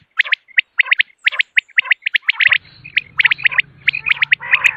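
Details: Common quail calling in the morning for hunting: crisp whistled notes in groups of two or three, repeated steadily, with a low steady hum joining partway through.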